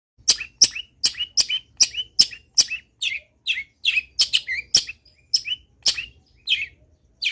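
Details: Long-tailed shrike in full, active song, used as a training recording to get other shrikes singing: a fast run of sharp, high buzzy notes, then spaced rising chirps and short slurred phrases.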